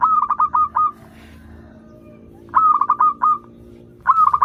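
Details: Zebra dove of local stock singing for learning birds: closely repeated phrases of about five punchy, evenly spaced coo notes, each phrase roughly a second long.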